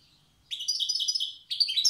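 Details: Old-style song of a wild goldfinch from Tiaret: a faint thin note, then two rapid bursts of bright, jangling, buzzy twitters.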